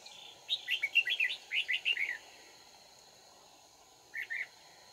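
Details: Red-whiskered bulbul serving as a trapping decoy, Dong Nai, Vietnam, 31 March 2019: a rapid cluster of bubbly chirped notes for about two seconds, silence, then a short two-note phrase.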